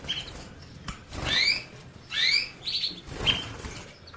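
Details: Canary phrases: two rising slurred chirps about a second apart, then short steady whistles, with background rustling and soft knocks.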